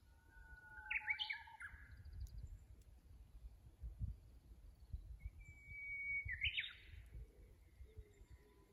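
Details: Two songs of a Japanese bush warbler, recorded by a fixed camera on the Kusu tank road in Japan on 24 April 2025. A clear held whistle snaps into a rapid, rising, trilled phrase; the second whistle is higher-pitched. A soft low rumble runs beneath.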